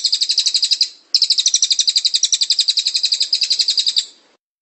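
Cililin song: a high, fast, buzzy trill of about eight notes a second, a short burst followed by a longer three-second run.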